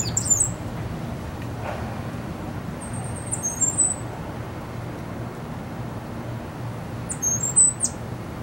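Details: Cuban grassquit, described as white-footed, large and handsome, sings three very high, thin, buzzy trills, each under a second and spaced a few seconds apart, over a steady low background hum.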